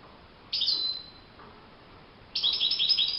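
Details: Goldfinch singing in the wild: one drawn-out, slightly falling high whistle-twitter, silence, then a rapid tumbling run of thin, bright chirps to the end.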